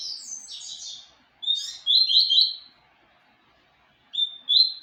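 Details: Papa-capim seedeater song of rapid, high twittered notes in bursts. A long quiet gap follows, then two short, bright whistled phrases.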